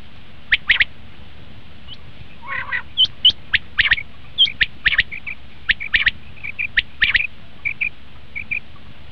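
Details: Common quail calling, recorded as a lure for hunting: a run of sharp, high, clipped notes in loose threes and pairs, with a lower rasping burst early on and softer chirps trailing off.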